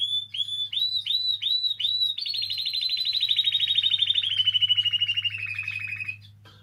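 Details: Canary song for stimulating canaries to sing: five looping swept whistles, then a long fast trill that slowly falls in pitch and fades out, over a soft low hum.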